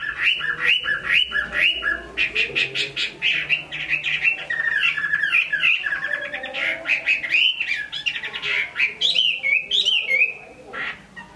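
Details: Chinese hwamei singing well in Hai Phong, Vietnam: a rich, fast run of varied whistles and warbled slurs, dense and nearly unbroken, ending in higher bouncing notes.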